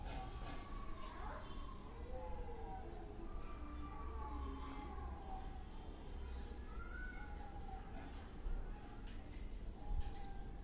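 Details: A pet Indian ringneck (rose-ringed) parakeet talks in soft, wavering, speech-like phrases with rising and falling pitch, over a steady low rumble of background noise.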